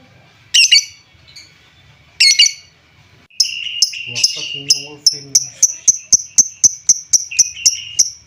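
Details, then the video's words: Lovebird calls used to excite less active lovebirds: two harsh squawks, then a faint low murmur, followed by an accelerating run of sharp, high, clipped chirps, several per second. "Suara pancingan lovebird, menaikan emosi lovebird Bahan/Antau kurang aktif"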